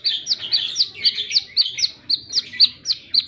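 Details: Rapid wiceh-style song of a plain-throated sunbird, singing energetically: about ten sharp, high, downslurred chips in quick, fairly even succession, each with a thin trailing twitter.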